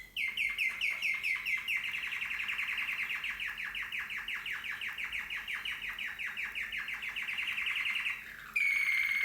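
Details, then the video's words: Slavujar canary delivering a long fast rolling trill of evenly repeated notes for about eight seconds, ending with a brief pause and a clear whistled note. "Super Slavujar Canary Singing"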